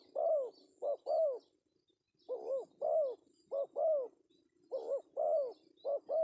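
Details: Spotted dove male, 'pesom' style call used as a lure: three bursts of paired coos, each pair a short note then a longer arched coo, with a brief silence after the first burst.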